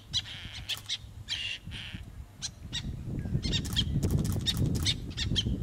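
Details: Black-naped terns breeding on reef rocks at Ishigaki Island, Okinawa, Japan: many sharp, high, rasping call notes, some drawn out and some clipped, tumbling rapidly over a steady low roar of surf.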